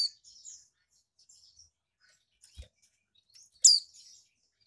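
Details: Female magpie-robin kept in captivity in Malang, East Java. Its call is used to arouse males. Soft, scattered high twitters lead into one loud, sharp descending chip near the end.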